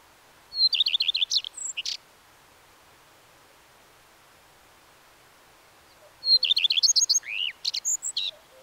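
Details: Common redstart delivering two song strophes, each a thin introductory note leading into fast repeated chirping notes and a jumbled, scratchy, squeaky ending that varies from phrase to phrase.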